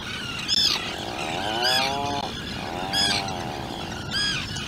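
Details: At a burrow on Seal Island, a two-day-old Atlantic puffin chick and its parents: short, high, harmonic peeps about once a second, mixed with longer low moaning calls that rise and fall.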